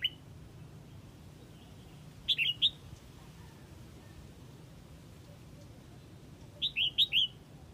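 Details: A red-whiskered bulbul from Huế calls its flock with two quick bursts of three or four bright, chirping notes about four seconds apart, over a faint low hum.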